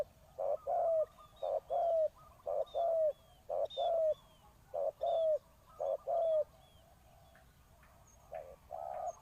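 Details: Spotted dove kept as a decoy bird, calling to lure wild doves; low hollow coos in short paired phrases, roughly one a second with brief gaps, with faint thin high whistles from another bird in the background.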